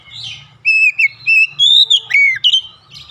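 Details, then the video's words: An oriental magpie-robin calls with rhythm, delivering spaced whistled phrases, some level and some sweeping downward, in quick succession, with a soft low rumble beneath. "kicauan Kacer memanggil penuh irama"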